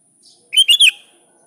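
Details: One brisk sooty-headed bulbul phrase aimed at a rival: three liquid, chortling notes run together, the final one sliding downward, against a quiet background.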